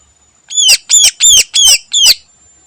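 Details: Morning phrase from a greater green leafbird singing with mimicked sounds: five loud grating notes, each curving downward, delivered evenly within two seconds.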